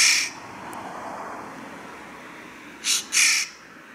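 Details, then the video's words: Eurasian jay shouting: harsh, rasping screeches, one at the start and a doubled burst near the end, separated by a low, steady background hum. "Shouting jay bird (SZAJKÓ KIABÁL)"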